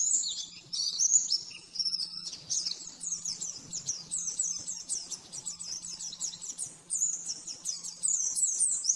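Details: Rapid oriental white-eye song meant as a master for caged birds: thin, high, fast chirping and twittering in long runs, brief pauses between bursts, steady faint hum behind.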